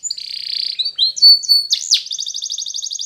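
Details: Short phrase of training song by a yellow Spanish Timbrado canary: a buzzy held note, sliding whistles, a sharp sweep, then an even, pulsing high trill.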